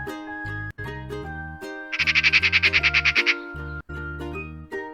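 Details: Eurasian magpie, a wintering bird, chatters: a harsh rattling run of about fourteen rapid rasping notes over a second and a half, against steady background music.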